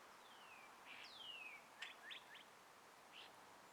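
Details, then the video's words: Birds among trees at morning sunrise in a gentle breeze: two long downward-sliding whistles, then a quick cluster of short sharp chirps and one later chirp, over a steady soft hiss of breeze. "birds chirping"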